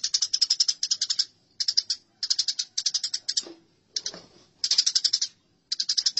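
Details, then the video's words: House sparrow fight from a masteran recording: short choppy bursts of piercing chirps come about every half second, with a faint low thud in one gap. "Masteran Gereja Tarung"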